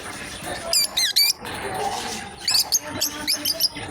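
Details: A pair of lovebirds playing: clusters of high, squeaky, bent chirps in quick twos and threes, pausing briefly between bursts, with a faint steady high whine in the background.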